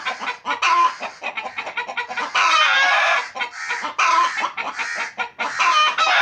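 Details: Several pet chickens at a home, clucking almost without pause. Rapid raspy clucks and cackles overlap in busy bursts, with brief quieter gaps.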